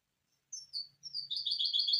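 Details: Song of a hybrid misto recorded to train young birds: a few separate rising and falling whistles open the phrase, then a quick burst of rolling, twittering notes.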